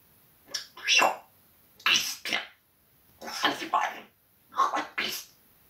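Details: Parrot kept indoors swearing at the cat: four separate groups of hoarse, breathy humanlike syllables, each about half a second long, spaced roughly a second apart in a quiet room.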